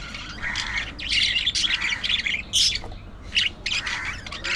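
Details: Chattering budgerigars giving bright, grating squawks and twittering notes in quick bursts, a few sharp loud chirps standing out, with faint low hum beneath.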